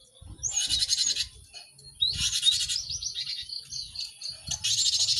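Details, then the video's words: Cinereous tit song, played for caged birds to learn singing quickly: loud buzzy bursts of high notes alternate with quieter gaps, whistled upslurs and thin chattering notes between them, with a faint low rumble. "Pacingan gelatik batu ramai untuk maksimalkan burung belajar cepat bunyi"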